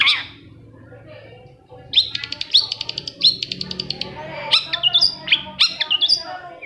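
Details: Long-tailed shrike song meant to stir reluctant shrikes into singing: a sharp opening note, then a fast run of clipped, ticking high notes, followed by varied scratchy rising and falling phrases, with a faint low hum beneath.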